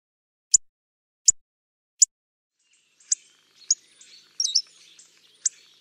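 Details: Hawfinch giving sharp, very high clicking ticks, three evenly spaced in the first two seconds, then more ticks mixed with softer twittering and chattering notes from other small birds.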